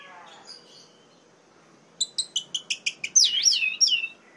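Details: Orange-headed thrush song meant to provoke rival males: a quiet start, then a fast series of sharp chirps followed by loud looping whistled slurs that rise and fall.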